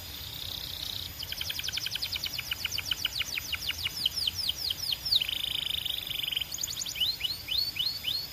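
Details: Belgian canary singing: a brief steady buzz, then long runs of rapid downward-sweeping whistled notes and a flat buzzy roll, high-pitched and continuous with no other sounds.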